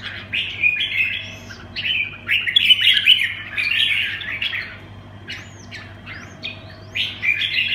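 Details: Red-whiskered bulbul delivering 'quảng lân bướm' song: chattering warbled bursts, then a pause and clear upward-slurred whistles followed by further chirpy phrases, low hum throughout.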